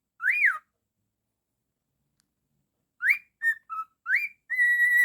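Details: A pet cockatiel indoors whistles: one arched note, a pause, then a quick run of short rising, flat and arched whistles ending in a sustained level tone.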